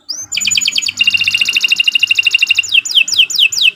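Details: Canary in full song as a lure for other canaries: a rising note, a rapid evenly pulsed trill of about two seconds, then several loud downward-swooping whistles, with faint low background hum.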